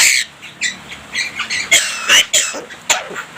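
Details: Javan myna in a lively song mixing imitations of human speech and coughs: a dense series of hoarse, squawking, cough-like bursts of varying length follows one another with hardly a pause.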